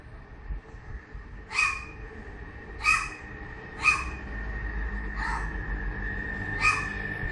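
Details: Crow giving a barking sound: five short harsh explosive barks spaced about one to one and a half seconds apart, over a steady background hum and low rumble.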